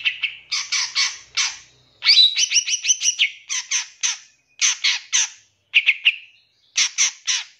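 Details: Long-tailed shrike song with rich fills, used to train caged birds: clusters of short, buzzy, chattering notes repeated in quick groups of two to four, with a fast stuttering run near the middle and brief pauses between phrases.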